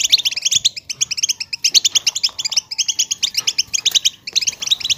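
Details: Betbeta chattering of a European goldfinch, played so silent goldfinches start singing: brisk, high tinkling twitters in rapid phrases, loud and continuous with short gaps.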